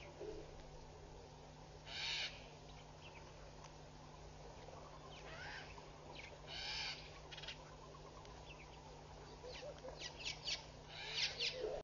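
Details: A displaying pair of Egyptian geese, very vocal, at Pete's Pond, Mashatu Game Reserve, Botswana, on 11 July 2013, giving harsh, raspy, hissing bursts of about half a second each at irregular intervals, over a low hum and a dense insect-like drone.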